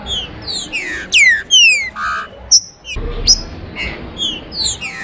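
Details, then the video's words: Rufous-bellied thrush singing varied whistled downslurs, buzzy lower notes and piercing high upswept calls, in a lively continuous phrase. "ABRIR CANTO DE TRINCA FERRO"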